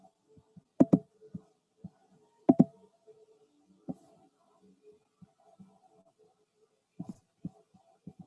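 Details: Sparse knocks and soft clicks in a quiet small room, with faint low hum between them.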